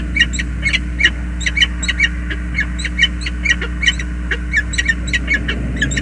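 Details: Nest meeting of a peregrine falcon male and female on the James River Bridge, USA, 20 February 2022. Loud, insistent harsh chattering notes repeat rapidly and steadily over a low background hum.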